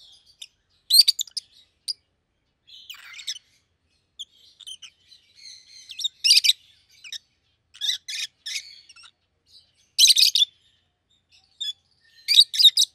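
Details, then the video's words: Two caged rosy-faced lovebirds, a yellow bird and a green bird with red heads, trade scattered shrill chirps and brief squeaky twitters over thirteen seconds, with louder harsh bursts near the middle and end. "Lovebird's Sounds"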